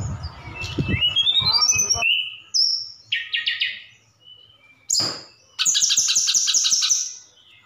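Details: Sukabumi Javan bush lark pouring out imitated phrases, including cililin and sikatan londo: rising chirps, a clear whistle, buzzy rattling bursts and a long rapid high trill.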